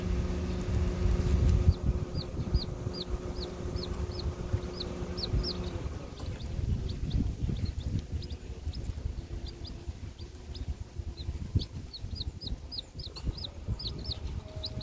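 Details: Six bantam chicks, four days old, on grass give short high peeps in quick, uneven runs of several per second from about two seconds on, over a steady low engine-like rumble and hum.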